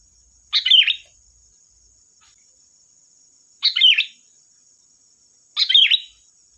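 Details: Sooty-headed bulbul (kutilang) lure song meant to make other birds answer: three quick chortling warbles, each about half a second, repeated every two to three seconds against a thin steady high tone.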